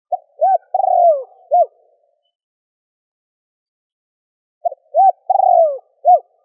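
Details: Spotted dove calling to draw out wild doves: two phrases of short hoots around a long, vibrating, falling coo and a final hoot, separated by a long pause of silence.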